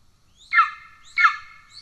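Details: Golden eagle at a nest in Estonia on 17 July 2024, where the father brings a pigeon to an already-fed chick: two loud, harmonic, slurred calls about 0.7 seconds apart, each with a rising onset and a falling tail, over a quiet background.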